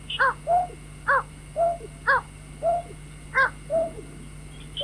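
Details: Lure call of a White-breasted waterhen for night trapping: a rhythmic alternation of sharp harmonic notes and deeper, softer hoots, the pair repeated about every second, against a constant background hum.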